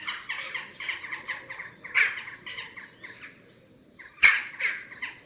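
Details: Eurasian eagle-owl nest under webcam in Germany, 27 March 2024, at chick feeding: a series of rough squawks broken by two sharp, loud clicks or knocks, then a short lull and more squawks.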